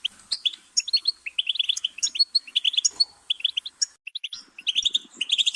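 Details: Rapid goldfinch twittering, high chirpy notes rattled off in tight clusters with a brief lull near four seconds before the song picks up again.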